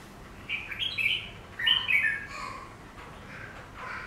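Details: Chinese laughingthrush (Garrulax chinensis) in a cage, reacting to its reflection in glass; it sings tumbling phrases of rich whistles that rise and fall, followed by softer, lower trailing notes.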